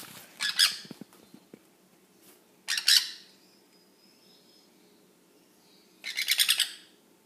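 A young sun conure gives three harsh, raspy screeches, each about half a second long, separated by several seconds of quiet.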